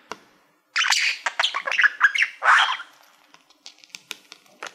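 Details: Pet male budgerigar singing to a reflective plaque he treats as a mirror; after a brief quiet, a burst of harsh chattering and squawky warbles, then scattered soft clicks.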